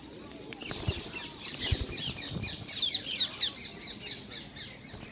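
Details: Several wild ringneck parakeets stealing apples from each other at a Hyde Park feeding spot in London; dense, scratchy squawks tumbling over one another mid-recording, with rustling and low thumps underneath.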